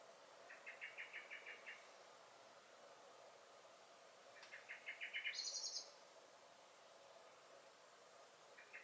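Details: Blackbird calling in a garden, 23 May 2021: a burst of rapid chinking alarm notes, a gap, a second accelerating run topped by a very high thin squeak, then a lone note at the end.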